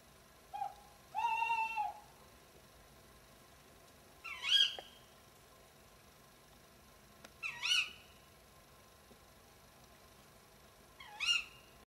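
Tawny owl: a wavering, harmonic hoot, then three sharp, shrill kewick-like calls about every three seconds.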